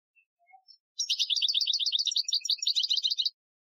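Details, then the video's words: European goldfinch performing an Algerian-style training song, 2015: a few faint soft notes, then a continuous rapid, high, buzzy trill lasting over two seconds before stopping abruptly. "Chardonneret Chant Algerien 2015 , chant de dressage"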